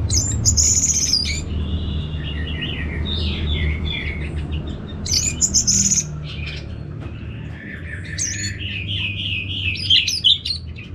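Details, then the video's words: Orange-headed thrush kept in northern Bali, singing after a recording is played: high buzzy chirp bursts alternate with flowing, wavering whistled phrases, a long varied song over a low hum. "ANIS MERAH Langsung Gacor Nyaut Joss"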